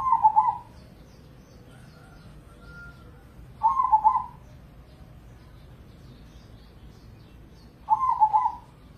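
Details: Zebra dove of crossbred contest stock, prized for singing morning, noon and night. Three short, throaty, trilling coo phrases come at steady intervals of about four seconds against a quiet background.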